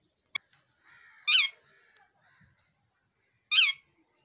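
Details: Rose-ringed parakeet, a ringneck parrot in fighting mood, gives two loud, harsh, grating screeches about two seconds apart. Fainter raspy chatter runs between them, and a sharp click opens the recording.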